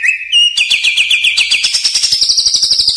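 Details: Caged-bird training song of a greater green leafbird (cucak ijo): a clear whistled note gives way to a fast, rhythmic trill of repeated high notes rising slightly in pitch, continuous and loud.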